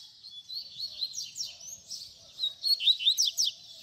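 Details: High rapid warbling from a double-collared seedeater singing baderna as a tutor song for young birds, with fast slurred notes and a few sharp falling strokes over a faint low background rumble.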